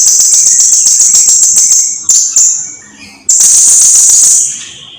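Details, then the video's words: Blue-crowned hanging parrot singing vigorously, from a long recording used to teach birds: a continuous shrill, high buzzy trill, a pause with faint thin notes, then another sustained piercing trill fading at the end. "Kicauan Suara Burung SERINDIT GACOR !! Durasi Panjang || Sang Guru Vokal"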